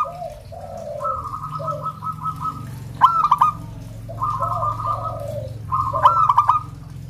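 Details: Local zebra doves singing, recorded to prompt zebra doves at home to sing. Rapidly beaded cooing phrases alternate with louder stuttered bursts about every three seconds, over a steady low hum and softer lower coos.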